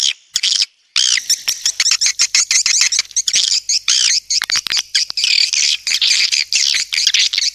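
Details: Edible-nest swiftlet call named Joker, used as a lure sound for a swiftlet house: loud, busy twittering chirps and buzzy squeaks in quick irregular bursts, with short silent gaps.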